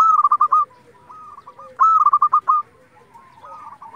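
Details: Local zebra dove in steady song, used as a lure to provoke other zebra doves into singing: bright cooing phrases opening with a high note and then a quick rolling burst of short coos, two phrases with softer trailing coos.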